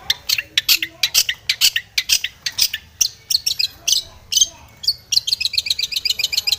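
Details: Long-tailed shrike singing vigorously and aggressively toward a rival: a dense stream of harsh scratchy notes and short whistles, closing with a fast high buzzy trill.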